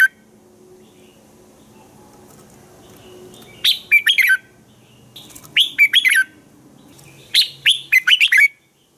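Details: Red-whiskered bulbul singing in the morning, used to train other bulbuls to sing: three loud bursts of rapid whistled notes around four and a half seconds apart, each a cluster of four to six bright, slurred phrases, over quiet background hum.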